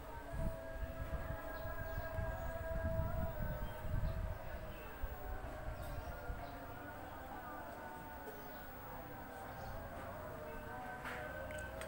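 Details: Low rumbling traffic or engine noise with a steady droning hum and faint voices; no animal calls stand out.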